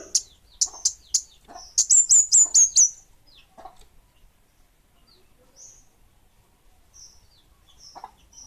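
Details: Kemade Bunga Api bird giving a few separate high chirps, then a fast run of whistled notes, followed by mostly quiet with faint occasional high notes.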